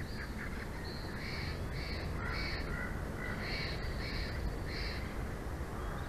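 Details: Bald eagle at the nest of a mated pair in Big Bear Valley, picked up by a live nature cam on 06/04/2024 at 22:36: a run of short, tonal, slightly harsh notes repeated about every half second over a steady low hum.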